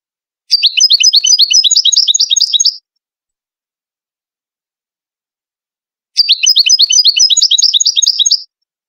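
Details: Moroccan Ouidani goldfinch song for tutoring chicks: two long, dense runs of rapid tinkling twitters, each lasting about two seconds, with silence between.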